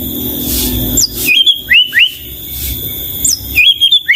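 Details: Murai batu, the white-rumped shama, in lively song: scattered clear whistled phrases with up- and down-slurred notes, separated by pauses over a hissy background.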